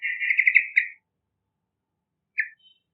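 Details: Energetic yellow-vented bulbul song for luring young birds, a fast rattling, bubbling phrase under one second long, then a single short chirp after a gap of over a second.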